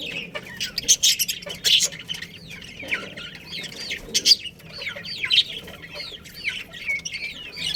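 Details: Budgerigars, a breeding pair in a colony, warbling in clear looping chirps that rise and fall in quick series, with a few harsh scratchy bursts early on and soft chatter underneath.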